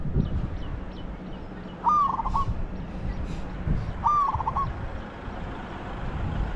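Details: Spotted dove kept for decoy luring of wild doves, uttering two clear coo phrases about two seconds apart, each a descending note breaking into quick rolled pulses, against steady hiss and low hum.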